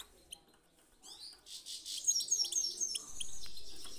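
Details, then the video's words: European goldfinch song in the 'pit pitak' and 'chi chiu' styles, played to stimulate singing: quick sliding chirps build into a dense, high twittering run with thin piping notes and a low background rumble. "پیت پیتک/صدای سایره چی چیو برای مستی"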